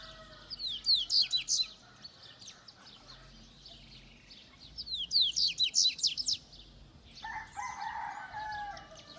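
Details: Double-collared seedeater singing in Itaguaçu, Espírito Santo, Brazil: two fast phrases of high, ringing, sweeping notes about four seconds apart, followed by a rooster crowing in the background.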